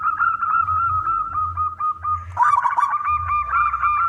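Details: Local zebra dove singing loudly to prompt other doves to sing. A steady rolling coo of quick pulses carries on, with a burst of crackle midway over a low hum.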